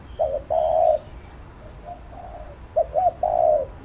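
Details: Spotted dove cooing in the urging style used to train a decoy bird: a brief note then a drawn-out, low coo, a quiet pause with soft murmured notes, then a doubled short note and another long coo.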